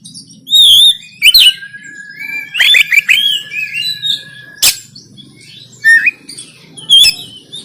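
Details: Oriental magpie-robin fighting song from Banten, Indonesia, recorded on an Android phone, used to train birds: loud whistled notes and rising slurs, some buzzy bursts, with a long steady thin whistle held through the middle.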